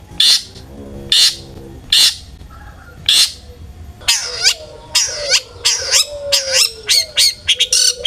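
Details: Long-tailed shrike singing to provoke other shrikes into song: several harsh broadband rasps about a second apart, then a quicker run of buzzy, varied notes over a low steady whistled tone.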